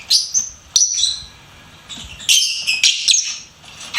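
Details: Lovebird chirping: piercing high whistled squeaks at the start, a quiet pause, then a fresh cluster of harsh, bright chirps near the end.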